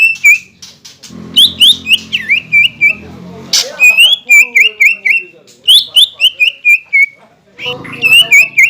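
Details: Green leafbird song meant to provoke competing birds, its repertoire said to include kingfisher, magpie-robin and shama sounds: runs of rapid whistled downslurs, about four per second, after a stretch of low rumbling noise and a harsh note.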